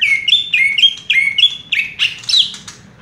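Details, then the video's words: Greater green leafbird (cucak ijo) in fast, rolling 'raja tembak' song: about six quick whistled phrases, each a sharp downward slur then a level note, ending in higher buzzy chirps. "cucak ijo " raja tembak ""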